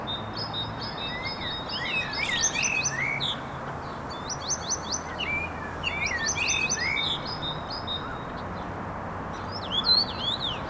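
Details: Three common starlings singing together: dense bursts of rattling clicks and squeaky wavering whistles repeated in bouts every two to three seconds, mixed with sustained thin tones, over low background rumble.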